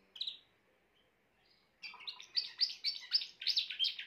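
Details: Grey Timbrado canary gives a brief whistled note, pauses, then breaks into a rapid, lively series of ringing, rolled notes, about four a second, building louder to the end.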